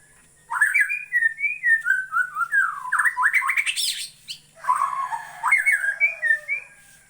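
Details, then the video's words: White-rumped shama from Borneo singing a rich, varied run of clear whistled notes, sliding up and down with quick rising sweeps, then a short pause before a second burst of fluting phrases. "Burung murai Borneo"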